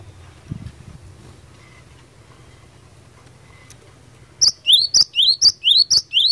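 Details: Long quiet stretch with faint low noise, then a cinereous tit bursts into fighter-style song aimed at rivals: about four loud, even two-note phrases, high tick and upward-sweeping whistle, repeated briskly.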